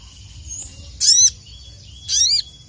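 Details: Crested jay calling to challenge rivals, two loud ringing notes a second apart, each a rapid upward sweep ending in a lower slurred dip, over a thin constant high-pitched hum.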